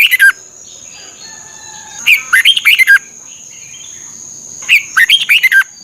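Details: Thai red-whiskered bulbul singing for caged-bird training: a clipped ending, then two full phrases of about six sweet, bouncing whistled notes, separated by a pause of nearly two seconds, with a steady high-pitched hum behind.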